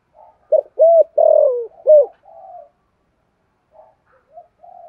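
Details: Spotted dove used as a lure bird, calling hard: a quick run of three loud hooked coos with a long sliding middle note, followed by faint, quiet cooing fragments after a pause.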